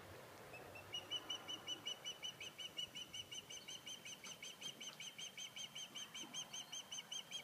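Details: Osprey calling from its nest on Sanibel Island: a long series of thin, high whistled chirps repeated nearly three times per second, steady and even, over a soft background hiss.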